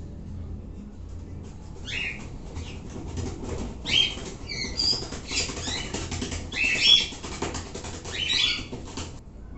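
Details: An always-active sun conure gives harsh, high, scratchy screeches in short bursts, about five over nine seconds, with rustling and wing-flutter sounds between them.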